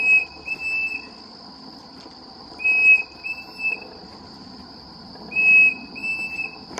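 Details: A Pavonine cuckoo (Dromococcyx pavoninus) at Reserva Surucua Lodge, Misiones, Argentina, calls in short phrases of three clear whistled notes, repeated about every two and a half seconds, over a steady high insect drone.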